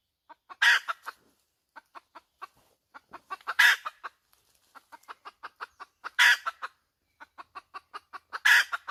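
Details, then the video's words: Hen calling: quick runs of short, evenly spaced clucks that build into loud, harsh, broad squawks, four squawks roughly every two and a half seconds, against a quiet background. "Suab poj qaib tsauj dib tuaj zoo heev"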